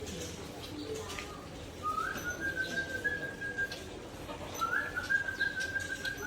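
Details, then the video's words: White-rumped shama, the Aceh type, singing in a relaxed way at dusk: two long, steady, whistled notes, each holding one level pitch for about two seconds, with a slight rise at the start, over a faint background hiss. "Murai Aceh Main Santai Kala Senja"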